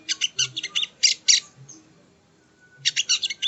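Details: Sogon (sogo ontong) song used as training audio for cage birds: bursts of rapid, high, scratchy chirps in quick clusters, a pause with a faint thin whistle, then another dense burst.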